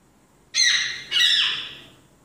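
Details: Pet African grey parrot imitating sound effects indoors: two loud, harsh squawking blasts, each a rasping rising burst that tails off over about a second; a voice says "outside" just afterwards.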